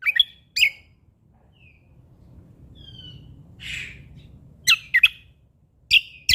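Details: Sumatran leafbird in vigorous song: sharp, high chirping notes open and close the passage, with a short soft whistle and a brief hiss between.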